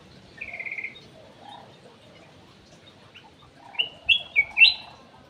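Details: Ruby-throated bulbul in an aviary, its song used as a lure: a steady whistled note, a pause with faint sounds, then four quick, rich, up-and-down whistles rising in pitch to finish.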